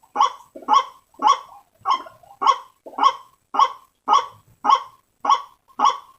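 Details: Waterhen-attracting lure call of a white-breasted waterhen. Eleven rough, nasal croaking notes come at a steady rhythm, just under two per second, each quickly fading.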